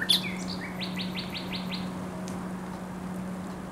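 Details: Thrush nightingale singing in spring on the Żerań Canal, Poland, 24 April 2022: a high sharp note, then a rapid series of six identical clicking notes, over a steady low hum.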